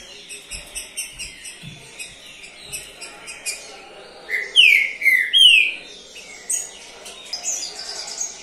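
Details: Third-placed champion Green-winged Saltator in a cage sings three powerful whistled notes, each slurred downward, over steady rhythmic chirping from other birds in the background.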